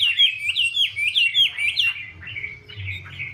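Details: Chinese hwamei, a female spreading her feathers and dancing to urge the male on. Repeated upslurred whistled phrases come about twice a second, then fade into softer, lower warbling, with a low hum underneath.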